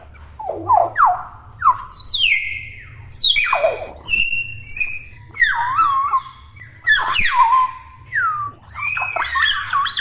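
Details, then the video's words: Noisy juvenile hill myna chattering: mixed short chirps, high clear whistles and falling squawks, some wavering notes, varied and irregular, above a steady low hum. "BURUNG BEO GACOR! BEO CEREWET"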